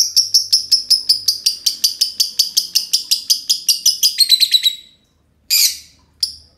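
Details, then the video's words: Two green lovebirds in a long ngekek duet, a rapid train of shrill high chirps repeated steadily for over four seconds, then a pause and two harsh short squawks. "Kolaborasi dua love bird hijau ngekek panjang"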